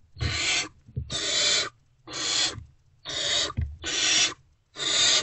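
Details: Early-morning nest-box recording from 3 March 2024 of unfed great horned owlets as an adult returns, rough wheezy hissing screeches in quick succession, roughly one per second, faint bumping underneath.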